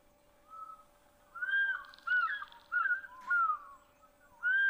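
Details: African fish eagle at an African waterhole on 7 July 2025, heard over a waterhole with hippos and crocodiles, gives ringing, slurred yelping notes in a loose series of about five phrases over a faint steady hum.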